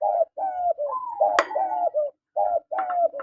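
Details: Cooing from spotted doves, male and female: continuous run of soft, throaty coos, several level notes then a rising one, interrupted by a sharp click near the middle.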